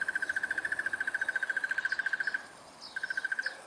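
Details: Crested barbet in South Africa giving a long, even trill of rapid mid-pitched notes, about three and a half per second, running for over two seconds. After a short pause with faint higher chirps, the trill resumes.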